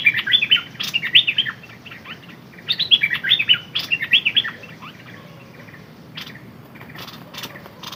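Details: Decoy Red-whiskered bulbul singing two bubbly phrases of rapid, slurred whistled notes, then a quieter stretch with faint chirps and a few clicks.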